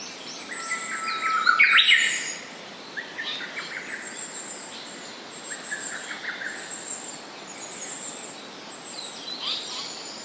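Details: Japanese paradise flycatcher singing: a loud burst of whistled notes, then softer repeated phrases at a steady pace, with high insect buzzing above.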